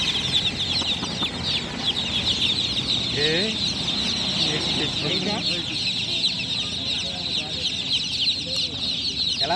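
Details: Newly hatched chicks chirping loudly after dark, a packed stream of rapid high peeps over about ten seconds, with people speaking nearby.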